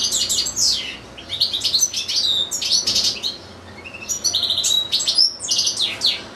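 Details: European goldfinch singing in a cage among two goldfinches and two small goldfinch-canary hybrids: quick liquid twitters and tinkling phrases in clustered bursts, a brief pause near the middle, then a thin rising whistle before the twittering resumes.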